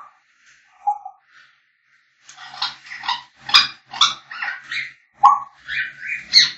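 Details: African grey parrots whistling and singing: a few soft tones, then a rapid run of loud, rough, chattering syllables mixed with clear rising whistles, growing denser toward the end.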